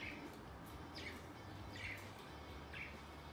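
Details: Budgerigars kept as pets, busy with newly bought wooden toys; brief downward chirps come about once a second against a low constant hum.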